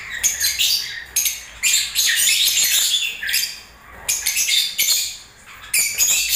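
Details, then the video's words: Lovebirds in breeding season chattering in shrill twittering phrases of about a second each, repeated with short gaps, some clicks audible between calls. "Love birds singing and movements"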